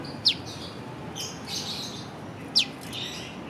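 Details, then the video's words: Prenjak lumut prinia calling piw: two loud, steeply falling whistled notes a little over two seconds apart, separated by softer high chirping and steady background hiss. "Burung prenjak lumut piw piw piw"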